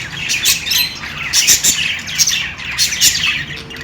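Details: Chirping budgerigars playing, with quick harsh squawks and twittering notes in rhythmic bursts about every half second, over a low background hum.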